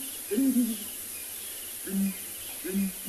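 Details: A breeding pair of Southern Ground Hornbills in a South African game reserve gives deep, hollow booming calls at sunrise on 29 December. A short double boom is answered by single booms about every second, with faint insects behind.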